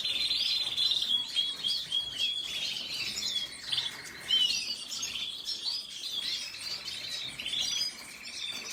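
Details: Red siskin song mixing fast twittering with drawn-out buzzy, rattling trills in the middle and near the end, plus bright whistled slurs.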